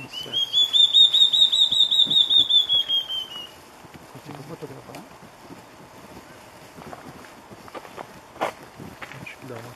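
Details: Large-tailed antshrike (Mackenziaena leachii) singing in Morro Reuter, Rio Grande do Sul, Brazil: a quick run of about a dozen loud, clear whistles, gently falling in pitch over three seconds, then quiet background with faint voices.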